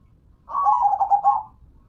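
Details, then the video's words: Local zebra dove delivering a single rolling coo phrase of about one second, a quick series of soft trilled notes held at a steady mid pitch, against a quiet background. "Dengar Dan Rasakan Manggungnya, Suara Serta iramanya BIKIN CANDU"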